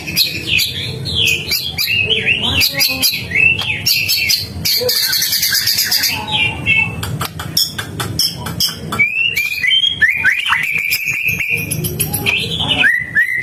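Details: Energetic gacor song of a White-rumped shama: rapid runs of rising and falling whistles packed with hard clicks, a dense burst of high rattling notes midway, then clear sliding whistles near the end over a constant low hum.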